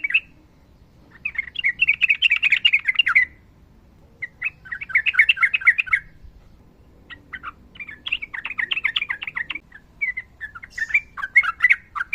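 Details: Sooty-headed bulbul pouring out long ropel phrases, bursts of fast twittering chatter lasting one to two seconds, separated by short silences, with faint low hum beneath.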